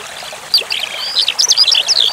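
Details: Skylark song starting after a half-second of trickling water: a quick string of thin, high whistles and squeaky slurred notes.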